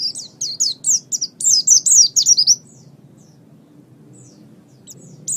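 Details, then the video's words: Oriental white-eye song used as a master recording for training songbirds: a rapid burst of high, thin, sweeping whistled notes repeated about three per second for two and a half seconds, then near silence with faint distant notes. "Ocehan Burung Pleci"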